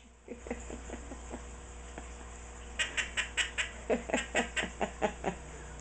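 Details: Sixteen-year-old pet Quaker parrot indoors repeating its annoying sound without stopping: soft low ticks building into a louder, brighter run of rapid clicking pulses, about three per second, over a constant household hum.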